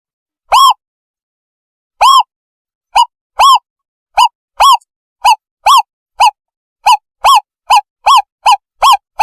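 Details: Owl call used to lure owls for capture: single arched hoots that start sparse, then speed up into a fairly steady series of about two per second, with a quiet background.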